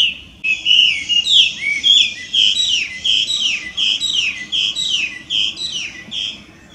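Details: Loud, varied song of a wild Chinese hwamei, invasive in Japan: a long, energetic chain of clear whistled notes, each slurring down, delivered in quick succession with brief gaps, over a quiet background.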